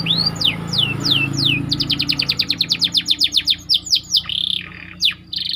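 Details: White canary rolling song meant for training other canaries, over low rumbling background noise: a few descending sweeps, then a fast rattling series of notes and buzzy phrases.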